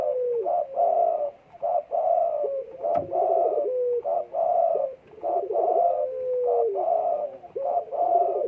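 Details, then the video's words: Spotted dove in breeding condition, December 12, 2022, delivering a long series of repeated coo phrases, each a fluttering, quavering burst trailing into a smooth, slowly descending note; one sharp click midway. "EMUSI KUAT BURUNG PUTER DEKUKUR LAGI BIRAHI"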